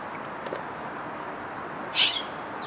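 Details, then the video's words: Scrub jay calling in the morning: a single short, harsh, raspy burst near the end, over a quiet, steady background hiss. "Scrub Jay morning greeting"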